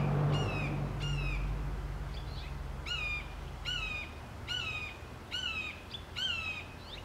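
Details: Juvenile Red-shouldered Hawk, recently released, June 2014, vocalizing toward its foster sibling roughly 100 yards off: a series of about eight clear, high, downslurred keeyah-like squeals repeated every second or so, with faint answering notes and low background hum.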